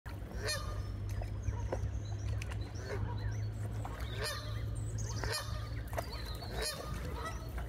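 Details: Canada geese, a large flock, recorded on 14 May 2023; repeated harsh honks with broad noisy bursts at irregular intervals, over a steady low rumble of background noise.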